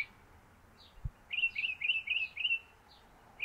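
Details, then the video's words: Northern mockingbird on its favourite stove-pipe perch, singing and preening; a quick run of about eight clipped, chattering notes at even pace, preceded by a single low thud. "Northern Mockingbird singing and preening"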